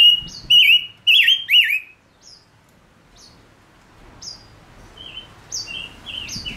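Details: Male silver-eared mesia used as a singing decoy for trapping wild birds. It gives three loud, rich warbled phrases in quick succession, then after a pause a quieter run of short whistled notes with high chips.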